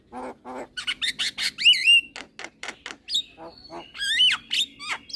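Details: Head-nodding young Javan myna in a cage, singing: low nasal squawks give way to rapid clicks and looping, wavering whistles, with a sustained thin whistle near the end.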